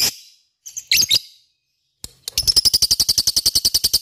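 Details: Lovebird with a few scratchy squeaky chirps, a pause, then a fast rhythmic ngekek chatter of harsh, buzzy repeated notes that builds and continues steadily to the end.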